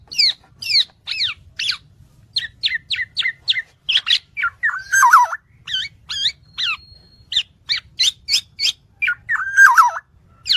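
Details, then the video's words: Black-naped oriole song meant as tutor material: varied sharp downslurred chirps in quick succession, mixed with a few lower warbled whistles and a short thin whine. "MASTERAN BURUNG KEPODANG"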